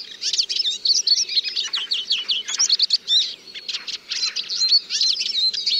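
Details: Lively, pulsing twitter from a Eurasian siskin: rows of rapid downslurred chirps and buzzy trills in quick succession, with short pauses between bursts.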